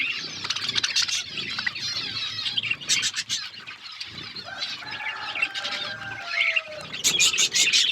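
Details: Budgerigars in an outdoor aviary with a forest setting, eating seeds; dense high chattering and chirping from the flock, with wing flutters and a few clear whistled tones near the end.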